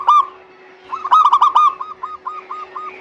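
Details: Local zebra dove song for prompting lazy birds to sing: one loud note, then a fast cluster of ringing coos trailing into a softer, evenly spaced series of arched notes, over a constant low hum.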